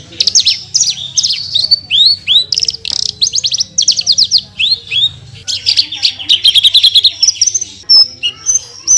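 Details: Branjangan, the Australasian bush lark, in energetic continuous song: fast runs of high, slurred upward sweeps and buzzy trilled phrases, broken by brief sharp clicks, changing pattern every second or so.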